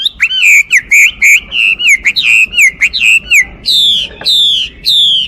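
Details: Chinese hwamei song: loud, rich whistled phrases around the upper-middle range, fast repeated slurred notes with downward and upward inflections, ending in longer clear descending whistles.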